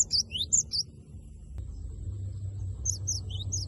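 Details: Cinereous tit (gelatik batu) with a loud lure song to provoke a rival: a quick run of sharp high 'wucit' notes, a pause filled with low background hum, then a second short high burst.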